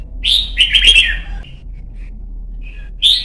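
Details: Red-whiskered bulbul song for training young birds and competition singing: a loud slurred whistle, then a chattering, warbling phrase, a few faint notes, and another sharp whistled note at the end; low hum beneath.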